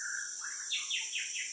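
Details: A wild White-rumped Shama, one of two heard in the morning by a roadside, sings near a trapper's lure bird: a low whistled note, a rising slur, then four quick descending sweeping phrases, over a steady high insect-like hiss.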